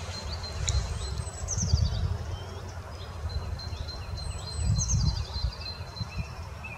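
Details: European pied flycatcher recorded at Ede on 21 April 2018 gives two brief bursts of thin, high, descending notes about three seconds apart, over a steady low rumble of wind or distant traffic.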